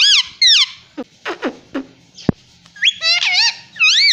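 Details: Pet ring-necked parrot at home talking, copying words like 'mummy': short harmonic squawked syllables with wavy rising-falling pitch, a few clipped clicks in between, then a run of quivering, warbling phrases.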